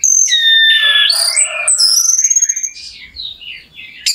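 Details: Orange-headed thrush song used as a lure to rouse another bird's emotion so it sings: loud harmonic whistles falling and rising in steps, then a softer, fading warble with a sharp click at the end.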